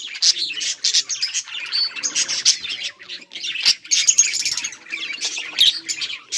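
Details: Budgerigars in a colony, chirping and playing, filmed 24 July 2023: dense overlapping warbled chatter and rapid high chirps from many birds, continuous with brief pulses of louder squawky notes.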